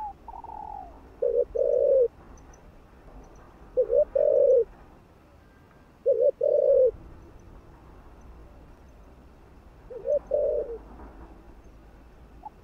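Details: Spotted dove giving stimulating coos for other doves: four low phrases spaced a few seconds apart, each a quick double note run into a longer sustained coo, with a brief higher whistle-like note at the start.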